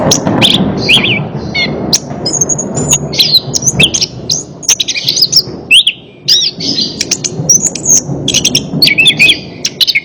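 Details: Orange-headed thrush song used as training therapy for a bird that will not sing: quick whistled notes, slurred trills and chirps over a steady low rumbling background hum.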